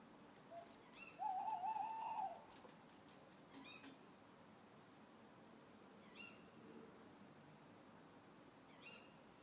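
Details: Owl hooting in a garden: one drawn-out, slightly wavering tonal hoot of about one second, with faint, thin high chirps from small birds scattered before and after.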